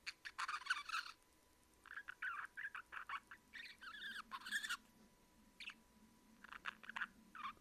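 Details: Pet male budgerigar being affectionate, giving soft, throaty kyu-kyu chatter in short warbled bursts with brief pauses between them, over a faint steady hum.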